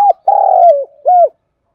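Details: A decoy spotted dove calls to lure wild birds. A short coo is followed by a long, level, slightly vibrating coo that slides down, then a closing short rounded note, in a quiet setting.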